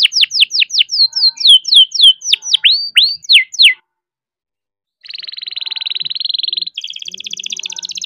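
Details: A young caged canary singing hard to stimulate other canaries: about a dozen falling whistles and curved upswept notes, a silent gap of over a second, then two fast buzzy trills, the second higher.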